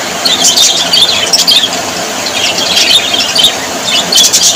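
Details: Budgerigars, Australian parrots described as very happy, chatter in bursts of bright, high, squeaky chirps and quick warbled notes, with short pauses between clusters over a steady hissing background.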